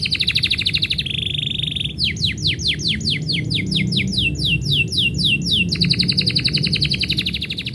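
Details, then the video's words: Canary song when its owner is about to leave: a pulsed trill, a lower buzzy trill, a long series of repeated falling sweeps, then a fast rattling trill. "kenari bunyi ketika yang punya mau pergi"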